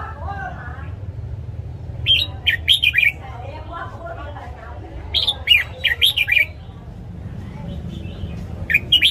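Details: Red-whiskered bulbul singing in the morning, a training song for newly caught and young white-cheeked birds: three clusters of sharp, chirpy whistled notes separated by pauses of a few seconds, over a low hum.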